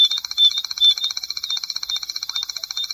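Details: Striped Crake, a shy marsh and seasonally flooded grassland bird, giving its long, dry, high-pitched trill of rapid ticking pulses, about a dozen per second, steady throughout with no other sounds.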